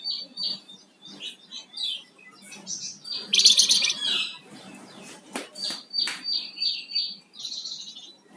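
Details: Flamboyan songbird in lively song: a burst of rapid high chirps, then a run of repeated short high notes at a quick, uneven pace, with a few harsh clicks.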